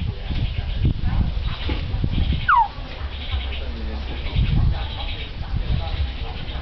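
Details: A common hill myna, prompted by its owner, mimics human greetings ("sawasdee") in man's, woman's and boy's voices as low, speech-like phrases, broken once by a sharp falling whistle. People talk nearby.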